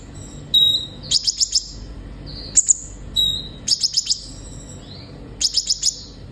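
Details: Energetic sunbird song meant to prompt caged birds to sing: a short pure whistle, then rapid runs of four or five sharp high ticks, repeated twice, with a soft rising squeak between.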